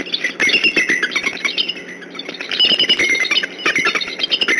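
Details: Wild bald eagle pair at the Decorah nest, 23 November 2015, around 4:20 pm, upset and on alert: repeated high, thin squealing calls rising and falling over constant rough wind-like noise.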